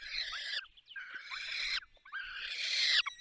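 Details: Feeding time at a falcon nest in Poland's Barycz Valley: three loud, hoarse, grating screams, each lasting over half a second, with the last rising in intensity.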